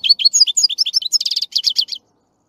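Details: European goldfinch song of quick, bouncy twittered notes leading into a series of buzzy trilled phrases, lasting about two seconds before stopping.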